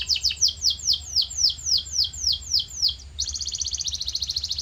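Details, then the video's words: Training song for a pet canary: a row of about a dozen sharply falling whistled notes at an even pace, then a rapid, high, buzzing trill; faint low hum throughout. "Special Audio to Shape Your Canary's Voice Character"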